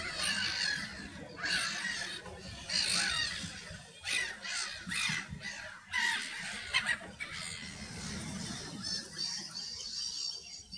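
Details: Black-tailed godwits at Greidhoeke, Netherlands, in March 2023, giving harsh, nasal calls in quick repeated bursts, several birds overlapping, over a low rumble of wind.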